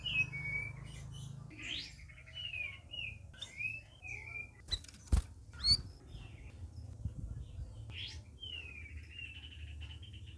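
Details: Several red-whiskered bulbuls in their first week of care; scattered slurred whistles and upswept chirps, with a couple of loud clicks in the middle and a low hum throughout.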